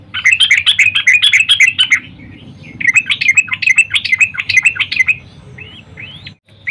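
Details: Morning call of a female yellow-vented bulbul to attract a male: quick runs of bubbly chattering notes in two long phrases, ending with a pair of thin rising slurred whistles.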